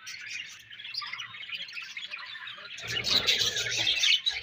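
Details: Budgerigar warbling chatter, a steady mass of high twittering and squeaky chirps that grows louder and fuller toward the end, several birds overlapping.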